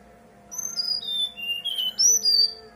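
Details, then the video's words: Clear whistled song of a brown-chested jungle flycatcher used to prompt others to respond. High notes slide downward in a series, then a brighter, higher pair of whistles closes the phrase. "Pancingan SRDC bahan biar nyaut dan bunyi, SRDC nyuling gacor"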